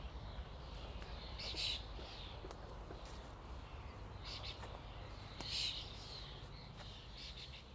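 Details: Flocking common starlings keep up a quiet, overlapping chatter, with two louder bursts of squeaky calls and scattered sharp clicks, like footsteps, in between.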